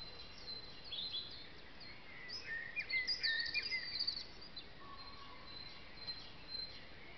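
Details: Great tits feeding at a woodland bird feeder set in a tipi; a burst of high, thin chirps and brief twitters clusters in the middle, then quieter scattered notes over constant background hiss.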